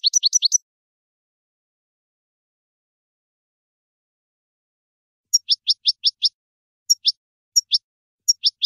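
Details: European goldfinch (Carduelis carduelis) song: a quick burst of bright, high twittering notes, then after a long pause a string of sharp, tinkling chips in uneven clusters; otherwise quiet.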